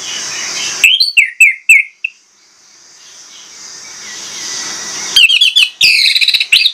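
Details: Loud whistling from an orange-headed thrush: a run of five sharp, downslurred notes, a pause of soft hiss, then a denser, faster burst of bright, varied notes.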